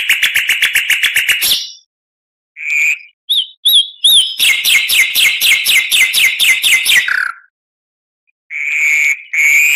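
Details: Tutoring song of an oriental magpie-robin: a fast even rattle of notes, short whistled phrases with bouncy upslurs, then a long rapid chatter and closing whistles.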